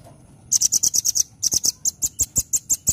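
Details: Velvet-fronted nuthatch (rambatan) pouring out loud, chattering nembak song: dense, rapid series of shrill, very high notes, some tightly bunched, others spaced about six per second, continuing throughout.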